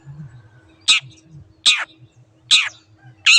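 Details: Long-tailed shrike (cendet), a master recording for training caged shrikes that stop singing or change owners: loud, harsh, buzzy rasping notes repeated about every 0.8 seconds, with faint low rumbling between them.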